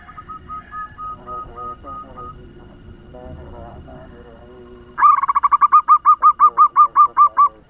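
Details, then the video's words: Local zebra dove used as a lure to stir up other doves, singing fast: soft repeated cooing notes at first, then a loud, rapid run of bubbly, evenly pitched coos about six per second, with low background noise. "Perkutut lokal pemikat suara ngebut‼️Bikin perkutut lain ribut"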